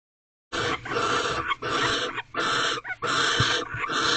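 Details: Wild barn owls calling during their mating ritual in a nest box at Corral, just after midnight on 24 February 2023. The calls are harsh, breathy hissing screeches in uneven bursts, with a short gap and some scuffling between them.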